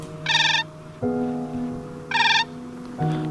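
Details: Siberian Crane calling in the Indigirka delta, Siberia: two loud, ringing, fluted calls about two seconds apart, heard over sustained low musical drone tones.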